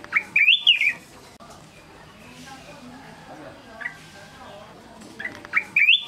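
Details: Black-crested bulbul singing: a short rising-and-falling whistled warble opens the recording, a long quiet gap follows with only faint background noise, then the slurred whistled phrase returns near the end.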